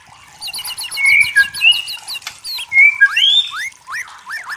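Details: White-rumped shama from the forest, singing clear drawn-out whistles and rising upslurred notes, with a fast ticking series of high notes running underneath at the start.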